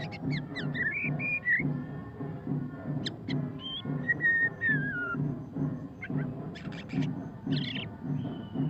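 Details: Murai batu pastol, a white-rumped shama, in ngeriwik song: scattered clear whistles, some long and falling, some sharp and high, mixed with a loud regular low pulsing beat throughout.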